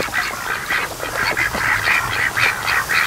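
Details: Afternoon at a lake with a raised duck flock, 92 days old, resting near a creek mouth. A nasal, honking call is repeated roughly twice per second in a steady run lasting the whole three seconds.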